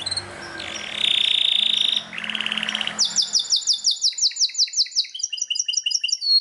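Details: Belgian canary singing loudly: buzzy trills at two pitches, then a fast run of bright down-slurred notes, followed by quick repeated chirps with a soft hiss in the background.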